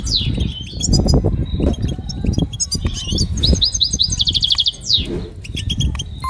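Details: Goldfinch singing a motivational training song: bursts of twittering trills and a falling buzzy note, partly masked by loud low-pitched rumbling noise.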